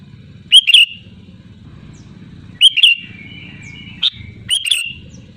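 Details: Sooty-headed bulbul giving loud, lively song to lure other bulbuls into singing: three clear, bubbling whistled phrases about two seconds apart with a thin sliding note between them, over a low hum.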